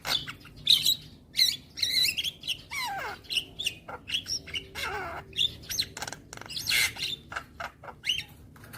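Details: Javan myna singing, recorded for young birds to learn from each morning: a busy jumble of squeaky whistles, harsh chattering bursts and a couple of descending slurred notes, delivered almost without pause.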